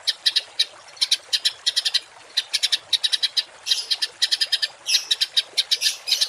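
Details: Harsh songbird phrases, 'tembakan kasar', recorded as a masteran for cage and contest birds: repeated short clusters of loud, grating high chips separated by brief pauses, some bursts longer and buzzier.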